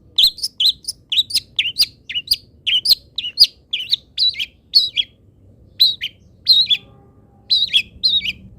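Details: Long-tailed shrike song used to train other birds: rapid chattering series of high twittering notes in close succession, pausing briefly before further paired chirps.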